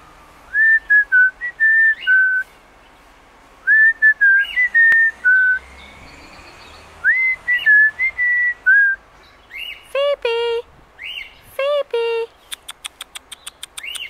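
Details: A pet cockatiel, escaped and perched up a tree in a garden after its cage blew over, gives clear whistled phrases, then harsher harmonic calls and a quick run of clicks.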